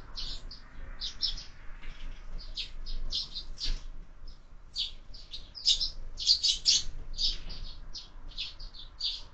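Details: Sparrows breakfasting at a feeder fixed to a window, with year-round feeding; lively rapid chirps and tweets crowd together, growing busier toward the middle, over faint low noise.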